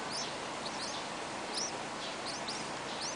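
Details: Hungry Yellow-vented bulbul chicks in the nest begging with mouths wide open: thin, high, upslurred squeaks repeated irregularly, partly masked by steady broadband hiss.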